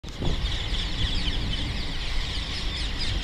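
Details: A flock of parakeets at Wormwood Scrubs, London W12, fills the air with a continuous wash of overlapping shrill, screechy chatter over a steady low rumble of traffic or wind.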